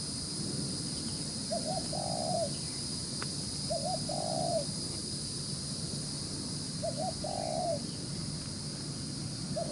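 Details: A wild-caught spotted dove with an attractive spotted collar repeats a short phrase of two quick notes and one longer hollow coo, spaced two to three seconds apart, against steady hiss and low hum.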